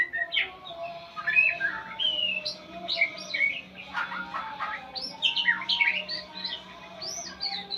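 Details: A murai pastol, or white-rumped shama, learning sounds from tutoring recordings: lively mix of high whistles, quick falling chirps and short trills in repeated bursts, with a faint low drone.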